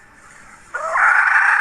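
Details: A hen's sudden loud, hoarse squawk bursts in after a quiet start and is held rough and steady; recorded in 2021.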